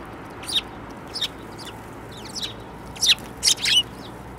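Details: Sparrows, among them one with a yellow bill, recorded on 15 February 2018: a series of short, high chirps and cheeps, a few clustered near the end, over a steady background hiss.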